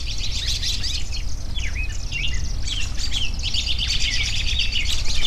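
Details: Busy dawn-chorus-like mix of birds, sharp downward-sweeping chirps and high twittering phrases tumbling over one another, growing denser toward the end, above a steady low rumble.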